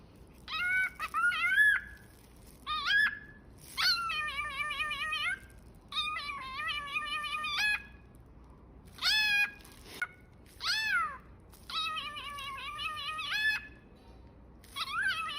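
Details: A cockatiel gives a run of bright, wavering, cat-like meowing calls in short bursts.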